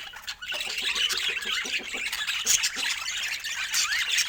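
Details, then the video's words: Pet budgerigars give a continuous jumble of buzzy squawks and quick twittering chirps, overlapping without pause. "Budgie Love Story with Sweet Sounds"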